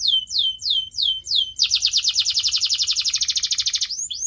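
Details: Pet canary song for bird training: five clear downward-sweeping whistles at a steady pace, followed by a rapid rolling trill of evenly spaced notes lasting over two seconds.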